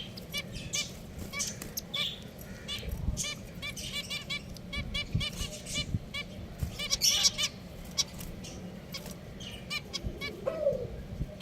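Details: Pet finches calling: short nasal, harmonic beeps, repeated irregularly by several birds, with brief higher chirps and a steady low background hum.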